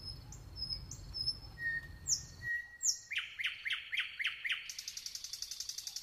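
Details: Nightingale song with high thin notes, a long level whistle, then five rapid descending slurred notes and a fast, buzzy, stuttering trill repeated many times.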